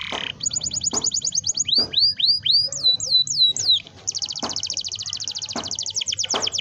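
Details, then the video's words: Rolling canary song played to encourage young canaries to start singing: a rapid trill, then a run of looping downslurred whistles, then another long fast trill, with soft taps and low hum behind. "kenari gacor ngerol panjang ini 100% ampuh buat PANCINGAN KENARI paud belajar bunyi/malas bunyi"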